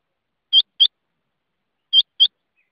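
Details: Rain quail giving two clean, sharp two-note calls, each a quick metallic doublet, about a second and a half apart.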